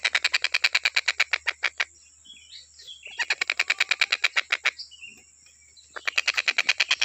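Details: Stork-billed kingfisher, recorded for tutoring other cage birds in song, gives long bursts of rapid, harsh repeated notes, about three per second. The bursts are separated by quiet gaps holding faint thin whistles.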